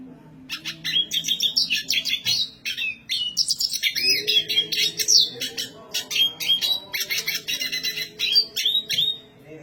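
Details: Black siskin singing loudly and high-pitched: long unbroken stretches of fast twittering, buzzy trills and thin whistled slides, dense and almost continuous with only short breaks.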